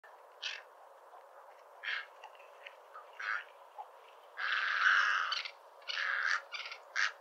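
A cattle egret gives short, harsh, raspy croaks at irregular intervals, including one longer grating call, over a steady low background hiss.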